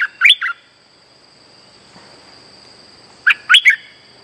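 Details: Lure song of a streak-eared bulbul, played for trapping birds: a short cluster of bright chirps opens, a long quiet gap follows, then a fresh phrase of three loud, clipped notes, over a constant faint high tone.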